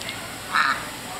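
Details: A female pet domestic duck playing under a garden sprinkler in New Hampshire with children gives one loud, harsh quack in the middle. Soft water hiss runs underneath.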